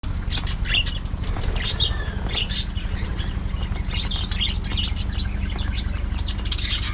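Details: Pet budgerigars in a lively group, busy with play, squabbles and grooming; scattered short chirps and twittering notes sound over a steady low hum that runs through the whole recording.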